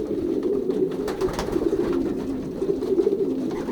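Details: Racing pigeons in a young birds' loft during pairing, season 2023, Pruszków branch, Poland; many birds coo at once indoors, a steady low droning murmur with overlapping rolling coos throughout.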